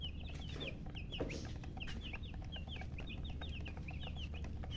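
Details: Baby chickens chirping: many brief high peeps, some downslurred, in a lively continuous stream over low background rumble.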